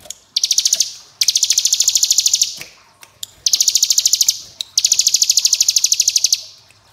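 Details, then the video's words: Hill prinia in long ngebren bursts: four loud rattling volleys of densely packed high pulses, the longer ones over a second and a half, broken by brief pauses with clicks. "Ciblek Gunung Ngebren AK47 Durasi Panjang"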